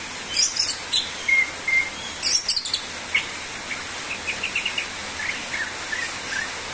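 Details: Greater green leafbird singing vigorously, used as a lure to stimulate other birds: sharp high chirps and short whistled notes, then a quick run of rattled, clipped notes in the second half, over a steady high hiss.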